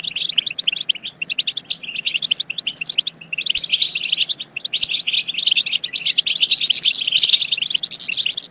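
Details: European goldfinch chatter played to stimulate goldfinches to sing and mate: dense, continuous twittering of rapid high chirps and trills, swelling into a loud tangled burst near the end.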